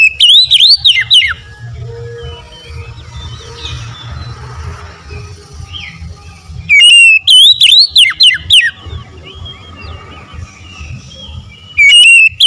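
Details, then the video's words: Oriental magpie-robin in konslet style, delivering its isian fill-in material in three loud bursts spaced about five seconds apart. Each burst is a fast run of looping, wavering whistles, with softer birds chirping between bursts. "PASTI LANGSUNG RESPON SEKETIKA KONSLET BONGKAR ISI4N"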